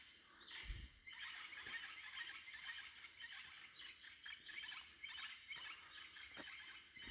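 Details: Dense dawn chorus of wild birds in Tikal National Park at about 6 AM in January 2025: continuous overlapping chirps and twittering notes that echo, with occasional soft low knocks in the background.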